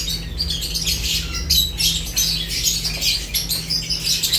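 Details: Feeding lovebirds give a continuous chatter of sharp, high-pitched chirps and scratchy squawks, many birds at once, with a low steady hum in the background.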